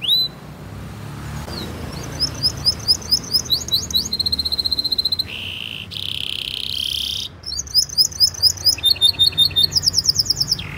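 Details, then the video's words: A Belgian canary sings a long, varied song of rapid high trills, repeated chirping phrases and a few buzzy rolls, all high-pitched over a quiet background; used as tutor song for young canaries. "PANCINGAN KENARI GACOR PANJANG utk Masteran Kenari PAUD"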